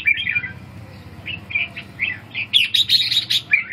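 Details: Red-whiskered bulbul singing short whistled, warbling notes in bursts, with a busier cluster of bright phrases near the end and a quiet low hum beneath.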